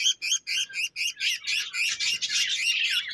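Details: Pet budgerigar chirping: quick run of short, bright twittering syllables, about four per second, starting as separate chirps then merging into a fast, dense chattering warble.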